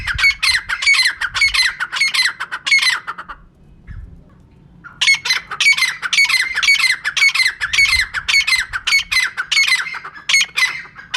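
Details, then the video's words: Female francolin (teetar) calling, a recording meant as a lure for catching birds: loud, harsh, squawking notes about two per second, a run of nearly three seconds, a pause, then a longer run. "Female Teetar ka clear and saaf awaz"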